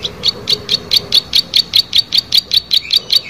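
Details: Plain prinia singing vigorously: a fast, steady series of bright, buzzy high notes, about two and a half per second, each a short ticking burst, continuing without pause against a quiet background.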